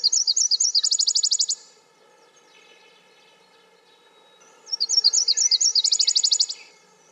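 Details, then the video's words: Two high Nashville warbler songs, each opening with slower paired notes that run into a quick, even trill, over a faint steady background hum. "Nashville Warbler - Bird Sounds"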